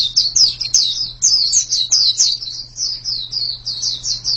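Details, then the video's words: Bright white-eye song of rapid high, downward-slurred whistled notes in rolling bursts, over a soft steady low hum. "Ini pasti pleci yang sangat super itu kicaunya"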